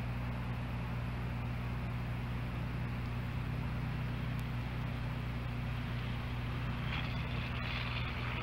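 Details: Persistent low motor hum and hiss with a brief brighter rustle near the end; no animal voices.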